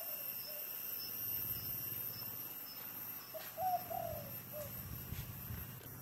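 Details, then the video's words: Dove cooing in the thổ đồng voice style: short soft notes at the start, then a phrase of low hooting coos, a brief note, a drawn-out slurred coo falling at the end, and a closing short note, over a low rumbling background. "chim cu giọng thổ đồng"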